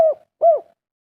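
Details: Spotted dove of local wild stock, 'kuk 3' singer: two brief, soft, arched coos about 0.4 seconds apart, low and mellow, with nothing else audible.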